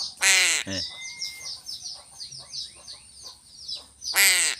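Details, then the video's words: A crow fed fish calls twice, a loud grating caw at the start and another about four seconds later, with busy high chirping and a short whistled note in between. "BURUNG GAGAK"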